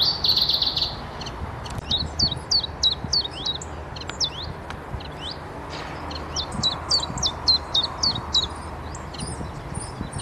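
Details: Common chiffchaff (Phylloscopus collybita) singing a mating call in a spring forest: two runs of sharp, high, downslurred notes, about three per second, split by a short pause, after a brief buzzy burst at the start; soft background hiss.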